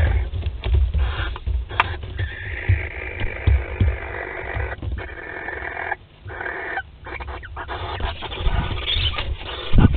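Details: Courting barn owls mating at a nest in Théding, France, on 25 May 2020: long continuous rasping hiss broken by a few short pauses, over frequent low knocks and shuffling noises.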